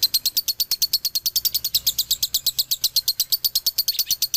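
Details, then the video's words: Continuous dobelan chatter from a male lovebird of Ciamis Galendo stock: shrill, clipped chirps fired off at a brisk, even pace, about seven each second, without pause throughout. "SUARA ASLI DOBELAN LOVEBIRD JANTAN"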